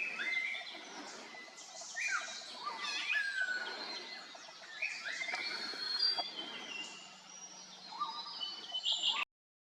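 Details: Several Grey-sided Laughingthrushes calling at once at Khonoma, Nagaland, India, in April 2024: a busy tangle of overlapping whistles, squeaks and chattering notes with a few sharp slurred phrases.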